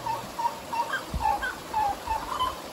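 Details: A pair of grey-cowled wood-rails in Costa Rica in March, duetting: short, hollow mid-pitched notes every third of a second, with higher answering notes interleaved, over a soft steady hiss.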